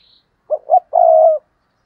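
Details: Tree decoy spotted dove cooing to lure wild doves: two short rounded hoots and then a single long, level, mellow coo, clean and close.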